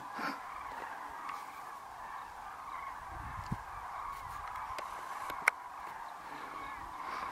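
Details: More than 40,000 common cranes take off at evening from the winter grasslands of the Great Rann of Kutch to roost, January 2013: a distant, dense, unbroken chorus of trumpeting calls, with a few sharp clicks.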